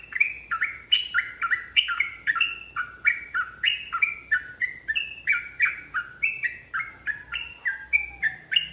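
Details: Long 'ropel' chatter from a provoked, fighting yellow-vented bulbul: dense, lively string of sharp falling double notes repeated about three times a second, unbroken across the recording, over a quiet low hum.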